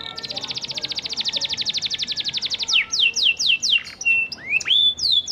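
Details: Steadily singing panda canary used to coax quiet canaries into responding: a very fast, even trill of clipped high notes for nearly three seconds, then slower sweeping chirps and upward-hooked whistles.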